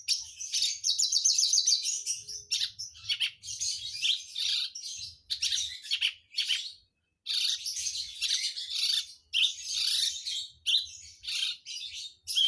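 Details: Persistent, energetic song of a Javan bush lark recorded in Jombang, East Java, Indonesia: long runs of high, scratchy, twittering notes and rapid trills broken by brief silences, with faint low rumbling below.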